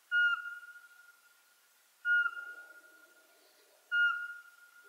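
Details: Eurasian pygmy owl, a twilight species of conifer and mixed forest in Ukraine, piping three monotonous whistled notes at roughly two-second intervals, with a faint low murmur in the background.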